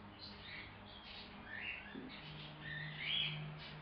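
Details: A friendly, tame 3-month-old male cockatiel, newly rehomed and kept in a quarantine cage indoors, gives soft, rising chirps and short warbled notes over a faint low household hum.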